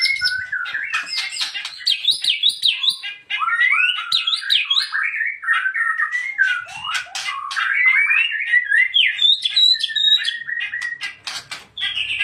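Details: White-rumped shama singing a long, varied song of rich whistled phrases that rise and fall, mixed with quick trills and sharp chips, delivered almost without pause against a quiet background.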